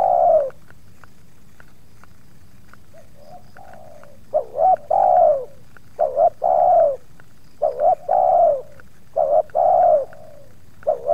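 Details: Spotted dove in a yard, with a second wild dove putting up some resistance, cooing steadily: paired short coos and long falling coos in quick succession after a quiet start, with faint clicks.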